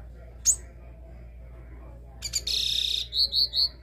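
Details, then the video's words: Classic three-note song of a caged capped seedeater: one brief high note, then a harsh buzzy burst followed by three clear, evenly spaced high whistles, with soft low background noise. "CABOCLINHO CANTO DÓ 3 NOTAS CLÁSSICO Pra esquentar seu caboclinho"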